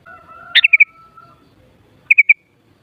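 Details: Sooty-headed bulbul with a burst of short, clipped notes, three or four quick chips in a row, repeated after a pause; a faint steady tone runs underneath.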